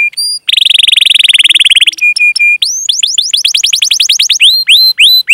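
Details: Canary song used to lure other canaries into singing, with long chirps and rolls: a fast rolling trill, then short steady high tones, then a run of rapid rising sweeping notes ending in clipped whistles. No background sounds.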